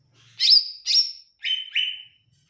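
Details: Olive-backed tailorbird singing two ringing high notes followed by two slightly lower, drawn-out slurred notes, all loud and clear against silence.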